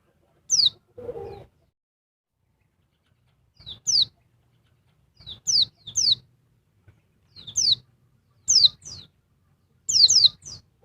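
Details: Female oriental white-eye (Dakun Bali type) calling noisily to agitate a male: high, thin descending notes, mostly in pairs or triplets, after a short rasp at the start, then spaced pauses.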